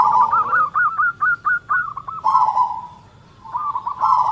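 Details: Local zebra dove with a big, close-noted voice: a rising sequence of separate clipped coos, a long smooth rolling coo, then quick bubbling notes.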